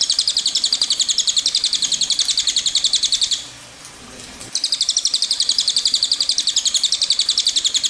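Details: Cililin in long rolling song: quick, bright, high notes repeated at a fast even pace. One burst of over three seconds is followed by a short silence and a second equally long burst.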